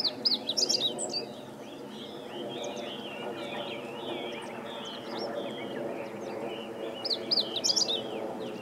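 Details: Singing Meadow Bunting (Emberiza cioides), 20 March 2015: a brief high twittering phrase opens and another closes the recording, with a busy chorus of other birds' thin chirps and slurred whistles in between over a low rumble.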